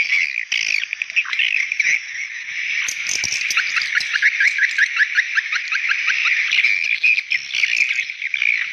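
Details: Swiftlet calling sound meant to call young swiftlets: busy high twitter with a run of quick, evenly spaced rising chirps through the middle, over continuous colony-like chatter.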